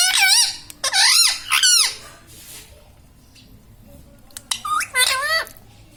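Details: Indian ringneck parakeet kept as a talking pet parrot, shown laughing; loud harmonic squawks with rising-falling arches, three close together early, then a quiet gap and two more near the end, indoors.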